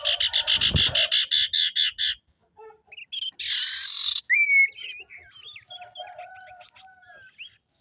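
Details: Female common iora sound for luring males: a run of about a dozen quick, buzzy chattering pulses, a broad harsh rasp, then assorted short whistles and twittering notes.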